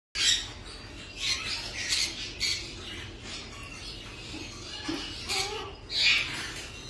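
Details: Several young captive Crimson-bellied conures (Pyrrhura perlata) giving harsh, raspy squawks in short, irregular, overlapping bursts over seven seconds, with a background hiss.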